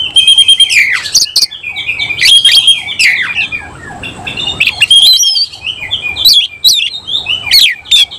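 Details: Oriental magpie-robin, semi-Cililin type, displaying with an opened tail while singing loud clear whistles mixed with harsh chattering notes and sharp upslurred squeaks, delivered in quick successive bursts.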